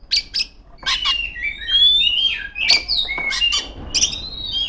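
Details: Female Oriental magpie-robin calling rivals, sharp high chip notes alternating with short slurred whistles, delivered in uneven bursts.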